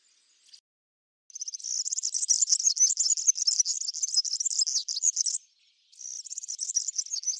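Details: European serin in a backyard where it feeds on Brassica oleracea seeds: a brief note, then a long sizzling, glassy high trill of rapid jangling notes for four seconds, a pause, and another burst beginning.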